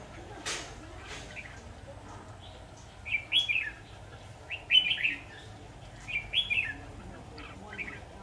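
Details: Red-whiskered bulbul song recorded during a bulbul trapping session with a decoy bird on 23 October 2019 in Bình Phước: three short bright chirping, warbled phrases about one to one and a half seconds apart, fairly faint over background noise.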